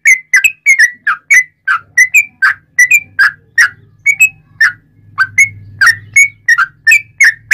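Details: Sooty-headed bulbul in loud, connected wild-style song for training and provoking other bulbuls. Whistled notes slur up and down, repeated quickly and fairly evenly over a steady low hum.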